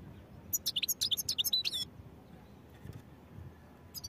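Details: European goldfinch singing a rapid run of about a dozen sharp, high tinkling notes in just over a second, followed by faint scattered chips and background hum.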